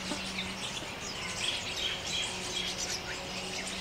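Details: Jungle Babblers in open forest, India, a noisy flock chattering and mock fighting near a grooming pair: rapid, irregular high squeaks and harsh chirps pile over one another, with faint lower tones behind.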